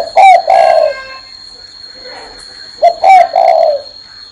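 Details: Spotted dove cooing while perched on a person's hand: two low, mellow cooing phrases, each a short note followed by a longer drawn-out coo, separated by about two seconds of quiet with a steady high whine behind.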